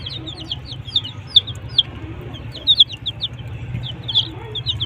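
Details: Desi colored chicks with their hen: high, sharp down-slurred peeps in loose bursts, a few louder cheeps standing out, with a constant low mechanical hum beneath.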